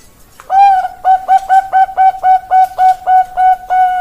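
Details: Zebra dove of the Bangkok perkutut type singing: a soft lead-in, then about ten short, even, mellow cooing notes in steady quick succession, closing on a longer held coo. No other sounds.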